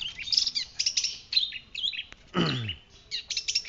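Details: White-breasted shrike, pentet laut dada putih, singing vigorously in a training recording. Jumbled chirps and whistled twists, broken by one harsh descending squeal midway, then more quick chattering notes.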